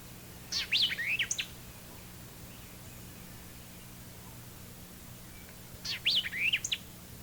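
White-eyed vireo giving two sharp, emphatic phrases, chick-purweo-chick, each about a second long and roughly five seconds apart, over a faint low hum.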